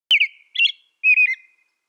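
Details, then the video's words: American robin giving three short whistled phrases, each a rising-then-falling warble, with brief silent gaps between them in a clean, quiet recording. "American Robin Sound"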